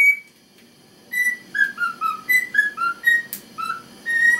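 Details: A male cockatiel named in the video sings the Chocobo theme in clear, pure whistled notes stepping up and down, a lively run of about a dozen tones, performing excitedly to an ignoring female who eats and drinks; quiet room.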